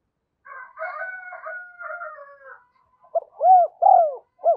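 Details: Decoy spotted dove cooing to draw wild doves in. A drawn-out harmonic, crow-like sound opens, then four loud, rounded, arching coos follow in quick succession.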